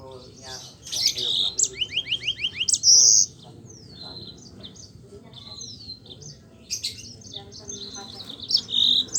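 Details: Yellow-fronted canary singing a rolling song that serves as a lure to get reluctant Mozambique canaries singing: bursts of rapid high trills and repeated slurred notes, a quieter stretch, then more trilling at the end.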